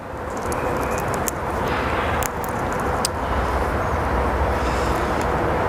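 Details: Steady roar of vehicle traffic outdoors, with scattered sharp clicks and no animal voice.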